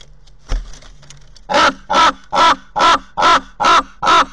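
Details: At a nest camera in Corbera de Llobregat, Barcelona, a common raven gives a regular series of seven coarse, rasping calls after a sharp knock.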